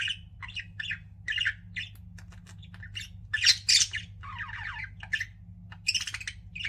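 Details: Lively pet budgerigars: fast series of short harsh chirps, a couple of loud squawks, and a descending rattly warble, over a quiet hum.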